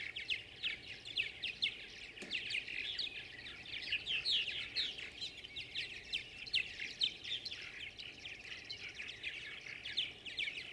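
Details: Many tree swallows competing for nest boxes twitter at once, a steady overlapping stream of high, liquid chirps and short gurgles with no pause.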